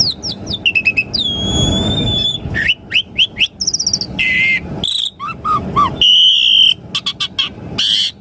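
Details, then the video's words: Asian pied starling song for prompting caged birds to sing back: quick chips, a long level whistle, buzzy rattles and clear short whistles in a varied sequence, with light background noise. "Pancingan Jalak Suren Auto RESPON Langsung NYAUT - Masteran Suara Burung Jalak Agar Gacor Full Isian"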